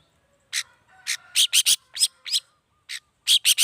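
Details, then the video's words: Long-tailed shrike song played to provoke rival shrikes into replying; a brisk series of about a dozen short, clipped chips and rising whistles, unevenly spaced, in a quiet setting. "Suara Cendet Gacor Pagi Siang Sore Biangnya Bikin Cendet Manapun Nyaut Emosi Ikutan Bunyi"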